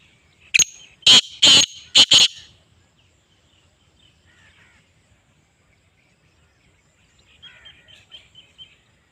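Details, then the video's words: Black francolin (kala tetar) call used for training: a loud harsh phrase of one note followed by four rapid grating notes, then near silence with faint distant chirping bird notes later on. "Kala tetar training / black Patridge / black francolin"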